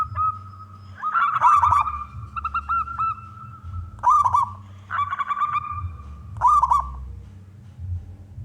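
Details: Local zebra dove with a big voice, played to draw other doves into song. Bursts of rapid, rolling coos repeat roughly every one to two seconds over a faint continuous tone and low hum.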